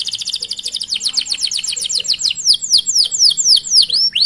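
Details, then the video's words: Canary singing long chirping rolls, a training recording meant to coax other canaries into song: rapid repeated high notes, each sweeping downward, steady for about four seconds and gradually spacing out into clearer, longer slurs. "Masteran Suara Burung Kenari Gacor Panjang Cuit - Cuit Ngerol || Cocok Untuk Memancing Kenari Lain"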